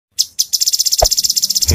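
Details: Cucak cungkok in lively full song, used as a tutor recording for songbirds: a fast series of high, buzzy chattering notes repeating about ten times a second, opening with two short separate chirps.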